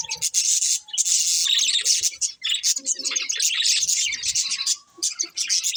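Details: Budgerigars from a breeding pair chattering almost without pause, a dense, high, scratchy warble of rapid chirps that rises and falls in intensity, with a few soft lower notes underneath.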